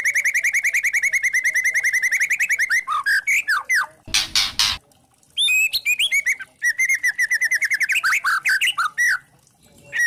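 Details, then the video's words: Spotted-plumage (trotol) white-rumped shama in kretekan style, used as a lure to provoke other shamas into singing: a long fast run of repeated harmonic notes, then a harsh noisy burst, then more chattering runs and upslurred whistles. "Pancingan murai trotol memancing emosi bikin murai batu trotol & Pastol bunyi gacor | Kretekan 16"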